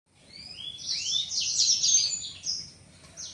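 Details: Caged young male blacksang, seven months old and voice not yet matured, opening its wings on seeing a female; high, thin rising whistles run into a dense twittering phrase, loudest mid-phrase, then fading into a quieter closing burst.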